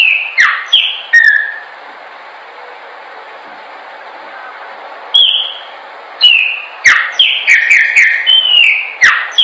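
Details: Chopi blackbird song used for training birds to sing. Bursts of bright, downward-slurred whistles, broken by a pause of about four seconds, then a rapid run of overlapping whistled notes.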